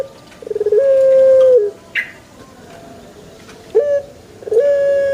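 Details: Pelung chicken gives a shorter crow, a level tonal note of about a second that drops at its close, followed by quiet gaps, a brief chirp and the rise of another crow.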